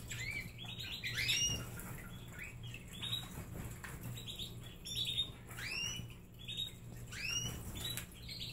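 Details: Several pet canaries at a snack center while eating treats give repeated upswept chirps in short bursts, each note arching up and falling, with a steady low hum underneath.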